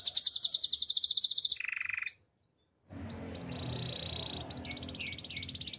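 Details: Spanish timbrado canary singing a training song: a fast metallic rolling trill, a lower buzzy trill, a brief silent pause, then a level whistled trill with short upward notes and a renewed fast roll.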